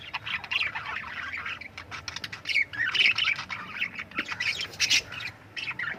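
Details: Lovebird chirping and squawking, a busy stream of harsh, high chattering notes in quick overlapping bursts with brief pauses, over a low steady background hum.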